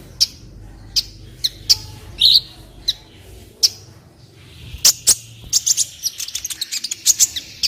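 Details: High, clean song of an olive-backed sunbird played as masteran to tutor other birds: isolated piercing chips with one buzzy note, building into a rapid twittering series near the end.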